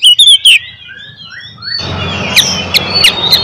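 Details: Oriental magpie-robin in fighting song meant to rile other magpie-robins: three loud sharp whistled notes open, then softer sliding whistles and faint high chirps over a hissy background.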